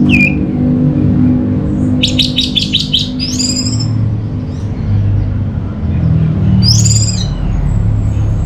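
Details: Orange-headed thrush song used as a lure to prompt birds to sing: a falling whistle, then a rapid burst of sharp repeated high notes, followed by buzzy downslurred phrases, one returning near the end, over steady low rumbling noise.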